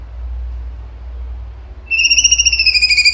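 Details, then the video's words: Cucak cungkok starting a 'tembakan' burst after quiet background: a sudden fast pulsed trill of high rattling notes running to the end. "CUNGKO GACOR TEMBAKAN HOT SUPER TEJEM"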